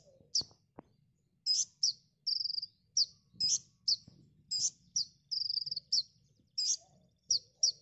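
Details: Konin song used as a training recording for songbirds: a steady sequence of high, emphatic chips and short buzzy trills, mostly under a second apart, with a couple of low clicks at the start.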